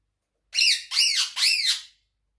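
A monk parakeet gives three quick, high, raspy vocal bursts in about a second and a half, rising and falling like mimicked speech syllables.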